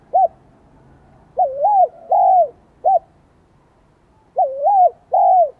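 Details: Spotted dove, Vietnamese 'son' high voice style, beginning its song: short clipped hoots alternating with wavering double-humped coos and longer falling notes, in two bursts separated by a pause.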